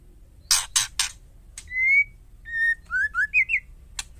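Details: Female white-rumped shama calling to get males to answer: three loud harsh chacks, then a drawn-out whistle and a lower one. A quick run of upslurred whistled notes rises to a final rasp.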